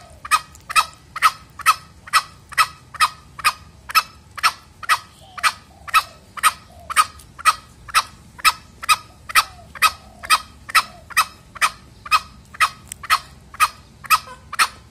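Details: A male green junglefowl (Gallus varius) gives short, sharp clucking notes about twice a second, a lure call used for hunting or training junglefowl.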